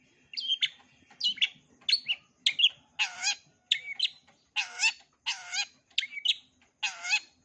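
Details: Long-tailed shrike singing a repertoire for young birds to learn: a steady alternation of short chirps and rich, nasal, squawk-like harmonic notes, about one and a half per second.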